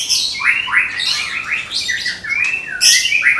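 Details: Dense, loud song of a caged Medan white-rumped shama kept for contests: quick sweeping whistles and harsh high-pitched bursts with barely a pause.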